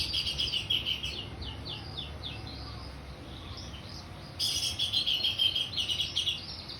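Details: Orange-headed thrush singing in the clear, open 'ngeplong' style: rich, varied whistled phrases of quick, slurred notes, a pause of about two seconds, then a louder, denser burst of tumbling warbles.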